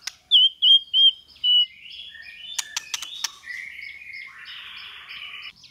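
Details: White-rumped shama training song, 'kéo thuốc lào' and 'giọng dây' styles. Four loud, clear whistles come first, then softer warbles, sharp clicks and a harsher, noisy note at the close.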